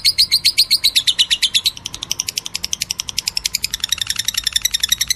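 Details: Lovebird singing in meloloh style, a steady stream of high, sharp chirps repeated about three times a second without pause. The notes are slightly slurred at the start and become quicker and more clipped.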